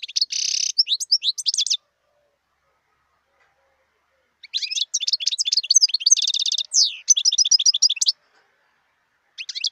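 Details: Jangling, high-pitched song from a wild European goldfinch: quick runs of tinkling chirps and buzzy trills in two long bursts separated by a few seconds of quiet.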